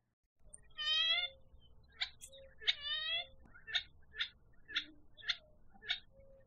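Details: Gambel's quail (Callipepla gambelii) of southeastern Arizona gives two drawn-out, nasal, slightly wavering calls, then a string of short, sharp notes about every half second over a faint low rumble.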